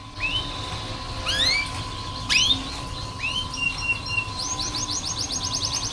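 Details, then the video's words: Canary tutor song used to train young or reluctant canaries to sing: sparse high upswept whistles and slurred notes, ending in a fast rattling trill, over a steady background hum. "KENARI malas bunyi, Terapi untuk kenari masteran canary"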